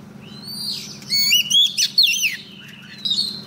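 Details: Decoy female Oriental magpie-robin singing to call a male for trapping: a soft rising whistle opens, then loud twisting, warbled phrases of quick slurred notes, ending with a clear high whistle over a steady hum.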